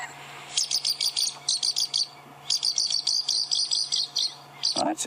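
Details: Pied kingfisher, the hovering kingfisher, at a South African safari reserve on a late-February sunset drive, gives shrill, high chittering notes in quick bursts of four to eight over a steady low hum; a brief voice ends.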